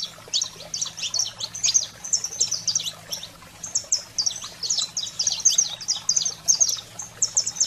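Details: Saffron finch in 'fogo selvagem' song to excite canaries: brisk volleys of thin, high, metallic chips and short downward slurs, irregularly spaced bursts with a short quieter patch midway, soft low hum present.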